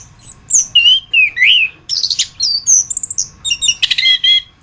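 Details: Chestnut-capped thrush singing as a master recording for training other songbirds: descending whistled slurs give way to buzzy chattering notes, fast stuttered clicks and a harsh rattling burst, varied and loud throughout.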